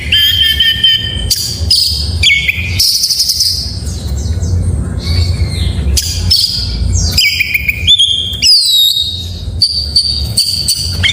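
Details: Oriental magpie-robin in morning song: bursts of high whistled and harsh squeaky notes, some buzzy sweeps, broken by a pause of a few seconds with only low background rumble.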